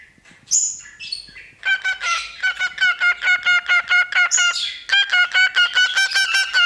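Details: Pet cockatiel, a male, whistling in front of a tiny microphone: opens with high thin whistles, then long rapid trains of short harmonic notes, broken by another high whistle.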